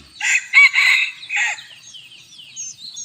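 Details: Bantam chicken crowing on a hot evening: a loud, harsh crow broken into several rasping syllables over about a second and a half, then fading into soft, high twittering of small birds in the background.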